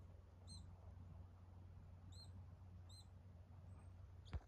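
Siberian chiffchaff giving four thin, high, slightly arched single-note calls a second or so apart over a steady low hum, ending with a sharp knock.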